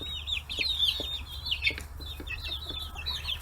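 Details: Free-range chicks aged forty days swarming fish heads on a small farm in Hiroshima Prefecture, Japan; rapid high chirps overlapping in a busy flock chatter, with soft pecking taps beneath and a constant low hum.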